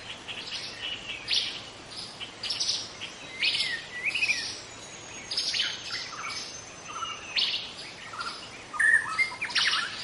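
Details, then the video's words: Young White-rumped Shama singing in forest: repeated bursts of scratchy chatter mixed with short clear whistles, phrases every second or so, over a hissing background and a faint low hum. "Kicau murai muda hutan"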